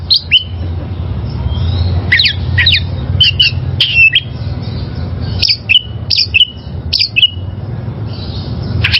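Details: Wild oriental magpie-robin calling: spaced whistled notes that drop sharply into lower slurs, with a few buzzy doubled phrases. Constant low rumbling noise behind.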